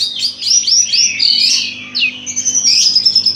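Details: Orange-headed thrush song used to provoke another orange-headed thrush into singing: rapid high sweeping whistled phrases, then a sustained thin whistle with fast trills near the end.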